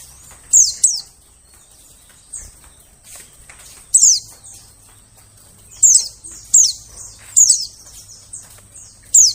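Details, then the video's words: White-eye lure sound for attracting forest birds: clusters of shrill, rapidly falling chirps, often doubled, arriving every one to two seconds, with brief quiet spells and a faint low hum. "suara pikat burung pleci"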